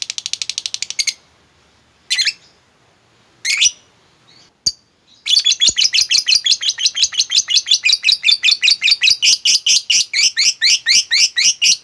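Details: Lovebird giving a long ngekek trill, played to coax a quiet lovebird into singing: a few short chirp bursts and pauses, then a fast run of sharp, high chirps repeated about twice a second.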